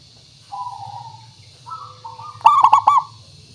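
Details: Cooing of a local zebra dove, played as a trapping lure to draw replies. Soft drawn coos at two pitches lead into a loud, rapid, bubbling cluster of four coo notes. Faint hum behind.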